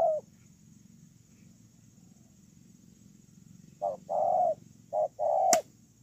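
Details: Spotted dove kept as a ground decoy bird, giving a short coo phrase: a brief note, then a longer note, a short note and a final drawn-out coo, low and hollow, with a sharp click at the end.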